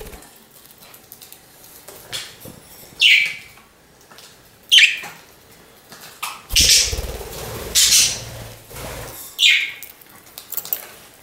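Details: Pet budgerigar indoors giving isolated, sharp, rising chirps every couple of seconds over quiet background, with a longer harsh broad burst of noise midway and soft low rumbling.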